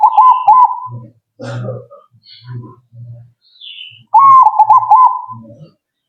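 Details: Zebra dove giving two loud bouts of rolling, stuttered coos, with low, dull thumping pulses and brief noisy bursts in the gaps between them.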